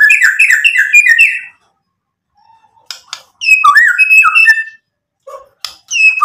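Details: Caged-style white-rumped shama song meant to goad rivals into replying: a burst of quick rich whistled notes, a pause with a soft low note, then looping melodic whistles and short sharp calls.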